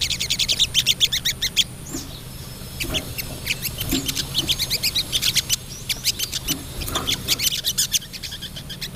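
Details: Female crested jay (Platylophus galericulatus, sogok ontong) calling to a male: dry, rapid rattling trains of sharp high clicks in bursts with brief pauses, over a low steady hum.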